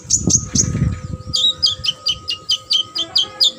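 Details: Sunbird, a competition bird, gives a few high slurred whistles amid low thumping, then a regular, rhythmic series of about a dozen high downslurred notes repeated several times a second.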